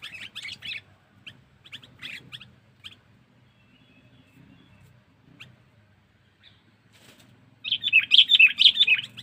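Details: Sooty-headed bulbul lure call of the cengkeram type for attracting wild birds: short scattered chattering bursts, a long quiet stretch, then a sudden loud, rapid harsh chatter at the close.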